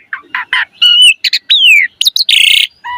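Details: Black-collared starling in full loud song with a rich fill-in repertoire, played to prompt other starlings to sing. Short chirps, a steady whistle, a slurred downward whistle and a buzzy, rattling burst.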